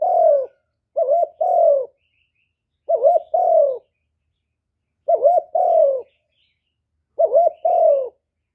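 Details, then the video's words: Kept spotted dove cooing to attract wild birds to a trap site, recorded cleanly: phrases of a quick wavering double note followed by a long, falling coo, repeated about every two seconds. "Cu gù cực hay kéo bổi về tàng"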